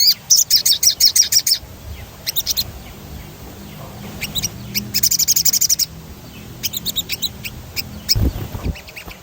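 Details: Rolling 'ngerol' song of an actively singing sogon, or crimson sunbird, meant to provoke singing: repeated rapid high trills about three notes per second overall, separated by short pauses and scattered chips, one low thud near the end.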